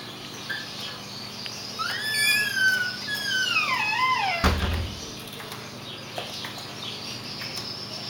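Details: Emu chick giving several clear whistled calls, each sliding downward from high to middle pitch with bright overtones, then a dull thump and a quiet background.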